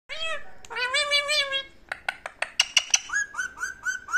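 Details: Pet parrot, shown talking, gives drawn-out voiced, meow-like notes with rich stacked harmonics, then a run of sharp clicks and short bright chirps, ending in several quick rising whistled syllables; indoors, no other clear sounds.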